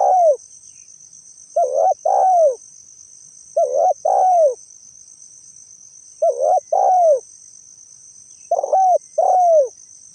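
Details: Spotted dove heard as a lure sound, giving five phrases of soft hooting coos. Each phrase has a brief note followed by a drawn-out downslurred coo, spaced about two seconds apart. A steady shrill insect hum runs underneath.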